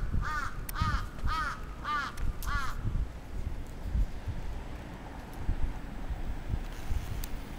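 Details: Attacking crow in Atsubetsu Ward, Sapporo, Japan, recorded 27 June 2017. Four quick rasping caws open the recording, followed by several seconds of only low background rumble.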